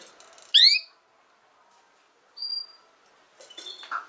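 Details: Female canary: one loud upswept note with strong overtones, a thin high whistle after a pause, then soft twittering chatter.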